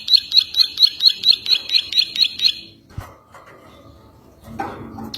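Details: Ciwah song used as training material for other birds: a fast, even run of about eleven sharp high chirps, roughly four per second, then a dull knock and some room noise.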